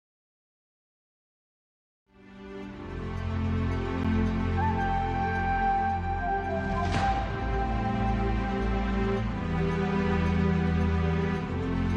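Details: Two seconds of silence give way to steady, low-pitched instrumental music with no animal voice.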